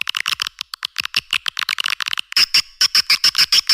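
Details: Swiftlet lure sound used in edible-nest swiftlet farming to draw birds in: quick clicking chirps at first, then louder evenly spaced twittering pulses over a steady high whine.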